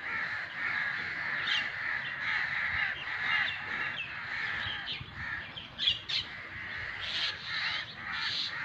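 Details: An angry crow gives coarse, grating caws in long overlapping runs. A few sharper, higher squawks break through near the end, over a constant noisy background.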